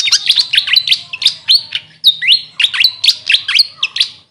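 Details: Grey fantail, called Maria Capra locally, pouring out quick high chirps with swooping upslurred notes in a steady, fast, almost continuous twitter.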